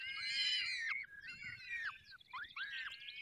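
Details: Falcons at a nest in the Barycz Valley, Poland, during feeding: loud harmonic wailing calls, each ending in a drooping slur, in three bouts with short pauses between.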